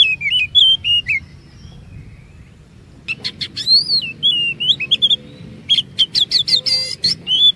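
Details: Oriental magpie-robin singing as a lure for other magpie-robins: short whistled phrases, a quiet gap, then a long varied run of slurred high whistles mixed with rapid harsh clicks.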